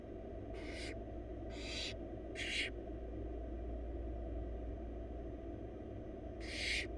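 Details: In a monitored nest box, wild barn owl young, four of them, hiss for food while their mother feeds them rabbit; four short breathy screeches, three close together then one after a gap, over low hum.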